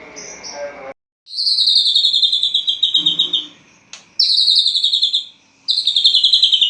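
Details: Caged white-rumped shama singing vigorously at dawn after its cage cover is opened: a short low warble, then long buzzy high trills that slide gently downward, three in a row separated by brief pauses, with a faint knock midway.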